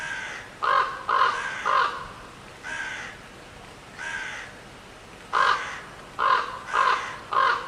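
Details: Loud rasping crow caws, given singly and in runs of two or three, with short pauses between bursts and a faint steady hiss behind.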